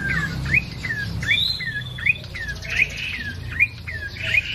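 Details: Ashy tailorbird, locally prenjak coki or cinenen merah, in full song: crisp upward-flicking notes, each followed by a falling slur, repeating in a regular rhythm about every three-quarters of a second over a soft low hum.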